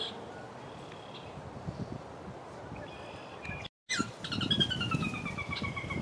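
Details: A yellow-headed blackbird singing like a rusty door: a few short clicks, then a long, harsh, grating buzz sliding downward like a creaking hinge, over a steady low rumble.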